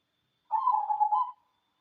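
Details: One short warbling song phrase of a local cemani zebra dove: a dense, fast roll of soft low coos lasting under a second, in a silent setting.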